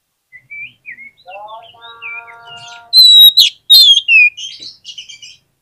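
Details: Oriental magpie-robin song used as a lure to stir lazy birds into singing: short varied whistled phrases that rise and fall, a sustained harmonic tone in the middle, then two loud, sharp whistled bursts and softer closing twitters.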